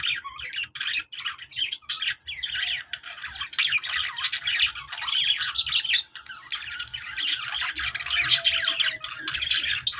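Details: Budgerigars warbling in a long, nearly unbroken stream of scratchy chatter, squeaks and harsher squawks, used to make other budgies sing; a steady low hum runs beneath.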